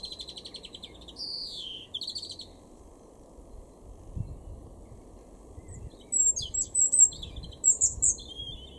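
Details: European robin in a garden at Weener, East Frisia, in Germany's far northwest, April 2021: high sharp trills and descending whistled phrases, then a burst of rapid twittering notes, over a low rumble.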